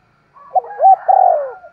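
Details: Spotted dove giving an energetic thúc gù coo: a short low lead-in, then two strong mellow hooting notes, the last one long and slowly falling.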